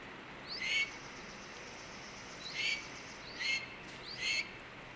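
A blue jay gives four harsh, hoarse screams that slur downward, each under half a second, in a hawk-like imitation. The calls are irregularly spaced over faint background hiss.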